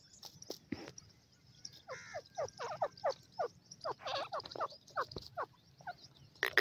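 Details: Caged fighter partridge (dakhni teetar) gives a run of short, harsh, mid-pitched notes, several each second, in an uneven rhythm, over a faint background hiss.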